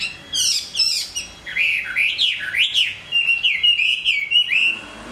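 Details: A Hwamei sings while moulting: sharp high chips open, then a continuous flowing sequence of warbled whistles that rise and fall smoothly, finishing with a long wavering whistle.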